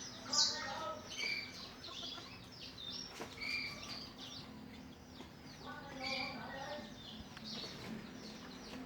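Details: Morning song from canaries and black-throated canaries kept in breeding cages: two bursts of harmonic warbling phrases separated by a quieter gap, with soft chirps and a faint mechanical hum throughout.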